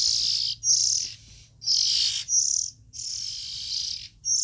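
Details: Young Oriental magpie-robins in the nest give long, wheezy, hissing high notes, some stretching nearly a second, broken by brief pauses; quiet background.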